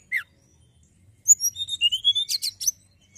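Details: Hill prinia singing: one sharp downslurred note, then a fast sequence of thin high whistles and rising slurs closing with a dense chattering burst.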